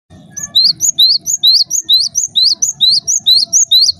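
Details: Java sparrow calling, a sound meant to set other Java sparrows off calling: sharp, high, upward-sweeping chip notes repeated steadily about twice a second, over a faint low rumble.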